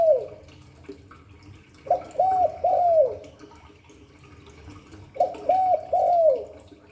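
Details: Spotted dove cooing in the 'Hạp Bổi' voice style, used to stimulate doves to coo: two mellow phrases about three seconds apart, each a short note followed by arched, hollow coos ending in a drawn-out falling coo, over faint background hiss.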